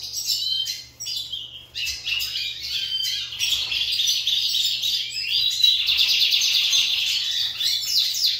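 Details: Kept Lined seedeaters dueling in song, delivering rapid high twittering phrases in bursts with short pauses early on, then a sustained, dense trilling warble; a low electrical hum runs steadily in the background.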